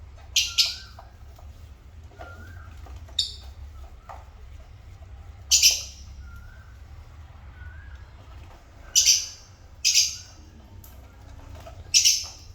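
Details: Pet African lovebirds uttering short sharp shrill chirps, singly or in pairs, spaced by quiet gaps of one to three seconds, with faint soft whistles and a low steady hum.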